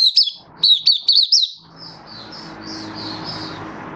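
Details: A Malaysian white-eye (mata puteh) sings in Singapore on 20 March 2023 in stable, warm, sunny weather: a fast, high twittering burst of sweet chirps, then softer, thinner notes trail off over a low background hiss.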